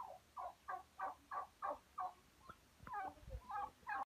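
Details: Male turkey calling: a steady run of mid-pitched, throaty gobbling notes, about three per second. A brief broken stretch with a sharp click and a low thump follows, then more gobbling notes close the clip.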